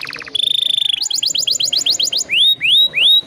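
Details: Canary song used as a lure: short buzzy notes, a flat trill, a quick bouncing series of high chips, then three slow rising whistles.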